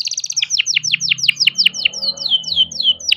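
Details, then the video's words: Young farm-bred canary singing a quick series of descending whistled sweeps that slow gradually into clear, spaced notes, with soft low background noise. "BURUNG KENARI GACOR NGEROL BISA JUGA BUAT PANCINGAN KENARI MALAS BUNYI"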